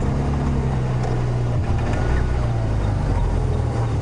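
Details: Steady low vehicle engine rumble at sunrise on a safari drive, with faint voices in the background and no animal calls.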